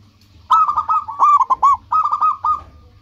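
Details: Zebra dove, local bird, singing to attract rivals: a continuous, rapid stutter of bright cooing notes in clustered groups lasting over two seconds, with a low hum beneath.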